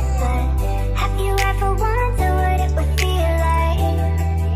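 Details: Instrumental music with a steady bass line and melodic tones plays throughout, and no animal sound can be heard.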